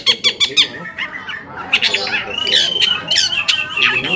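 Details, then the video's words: Long-tailed shrike singing to lure other shrikes into replying: quick harsh clicks at first, then drawn-out rasping squawks and strained whistles, scratchy and continuous. "PANCINGAN AMPUH BURUNG CENDET AGAR CEPAT GACOR - cendet manapun langsung nyaut dan emosi"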